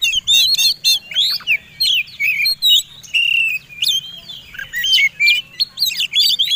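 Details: Oriental magpie-robin, a fighting-type competition bird, in a combined song used as a lure to provoke other birds to sing: rapid varied whistled phrases, sweeping slurs and sharp chips, delivered in bursts with short pauses.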